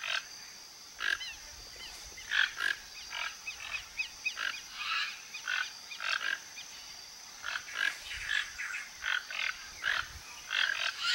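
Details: A foraging flock of toco toucans in a Brazilian backyard, looking for fruit: continuous overlapping hoarse croaks from several birds, repeated about twice a second throughout, against a steady high-pitched hiss.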